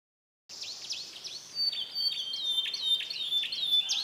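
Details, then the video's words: Canary from Comal, Pemalang, Central Java, Indonesia, singing a mixed song of imitated phrases: after a short silence, rapid high downward-sweeping notes and thin whistles follow in a varied, irregular run. "KENARI ISIAN CAMPUR ADUK"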